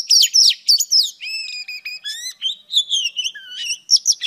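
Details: Female Oriental Magpie Robin singing quick sharp notes, then harmonically rich buzzy whistles and rising slurs, ending in a lower sweet whistled phrase and a few scratchy chirps.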